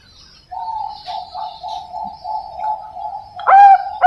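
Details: Soft, low, slightly wavering cooing notes run on evenly from a young captive Bangkok zebra dove at a breeding farm in Pasuruan, East Java, Indonesia, ending in two sudden loud, full coos.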